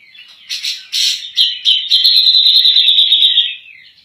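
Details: Grey-cheeked bulbul (cucak jenggot) singing vigorously, recorded as a master song for training other birds: a few loud, burry whistled notes, then a long, steady, rattling trill held at a high pitch for about two seconds.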